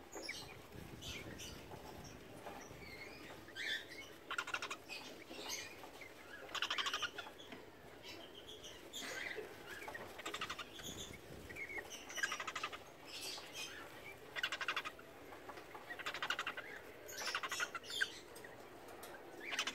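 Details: Cockatiel pair during their first mating, giving scratchy chirps and short whistled bursts in a courtship display.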